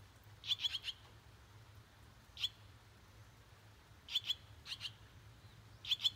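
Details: Six swallow chicks in a nest at a house entrance in rural Japan, day 18 after hatching; high, sharp chirps in quick bursts of two to four, repeated irregularly, over faint low hum.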